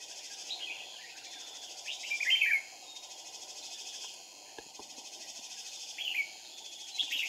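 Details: Red-whiskered bulbul decoy singing a fighting song during trapping of wild birds on 2 April 2019, two decoys used; a few short warbled whistled phrases, faint and spaced several seconds apart over steady hiss and insect-like buzz.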